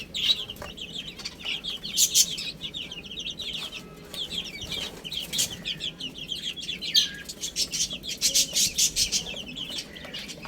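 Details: ['Little chicks chirping while they eat and play. Many short, thin peeps overlap almost continuously, with louder clusters around the second, seventh and eighth seconds and faint clicking underneath.']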